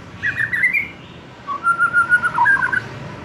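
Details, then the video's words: White-rumped shama, young wild bird, luring others into open loud song; a short rising warble followed by a sequence of mellow, evenly pulsed fluty notes, with faint background noise. "Memancing murai batu MUDA HUTAN dan LEPAS TROTOL agar GACOR NGEPLONG"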